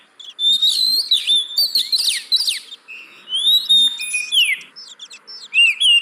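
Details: Oriental magpie-robin singing as a lure to make lazy caged birds sing: vigorous whistled phrases with steep up-and-down slurs, some buzzy notes, and brief gaps between bursts.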